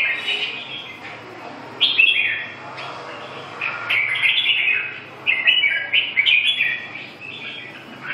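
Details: Red-whiskered bulbul giving lively warbled phrases, repeated in quick clusters of bright chirping notes with brief gaps, over a low steady background hum.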